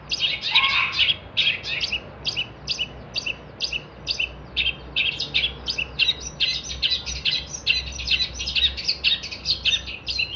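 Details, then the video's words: Long-tailed shrike song intended as a master for songbirds: after a brief opening flourish, a fast series of clipped, buzzy chirps repeated roughly twice a second, growing denser toward the end. "kicauan cendet gacor"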